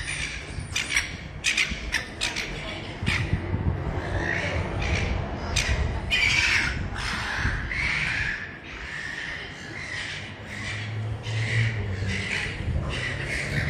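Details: A very young juvenile silver gull running around the Bridge Mall in Ballarat, Victoria, Australia, gives harsh, grating squawks in quick, uneven bursts, several a second, over a low urban rumble and faint voices.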